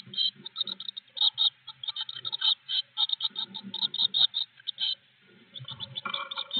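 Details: Blue tits in a nest box on 25 May 2021, filmed by an in-box camera, give a rapid, high, thin chatter of short notes in quick bursts for several seconds, with soft low thumps and rustling underneath.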